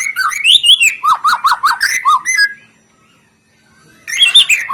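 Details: White-rumped shama song used to provoke other birds: lively whistles, then a rapid string of repeated dipping notes, a short silence, and renewed high twittering whistles.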